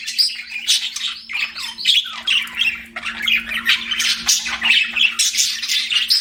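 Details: Budgerigars kept as pets chatter nonstop, a busy mix of scratchy chirps, squeaky squawks and short rising tweets, overlapping and unbroken, over a faint constant electrical hum.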